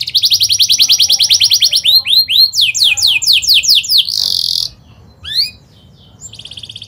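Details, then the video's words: Lively canary song with chirps and rolls, used to teach young canaries: a fast high trill, several looping slurred notes, a harsh buzzy burst, a short gap, then a resumed rapid trill. "KENARI GACOR SPEED RAPAT EMOSI CUIT CUIT NGEROLL AMPUH UNTUK PANCINGAN KENARI PAUD BELAJAR BUNYI"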